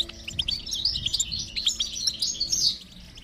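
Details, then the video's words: Goldfinch twittering to motivate a quiet goldfinch to sing, a continuous stream of quick, bright chirps and trills with a faint low hum underneath. "is Your Goldfinch Silent? Give it this stimulation and see the difference"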